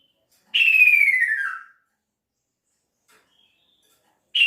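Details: Male kaso-kaso bird calling to its female: one clear whistle sliding slowly downward over about a second, followed by silence, with the next whistle just beginning at the end.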